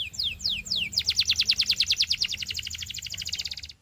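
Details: Belgian canary (Serinus canaria domestica), song: teaching young canaries to sing.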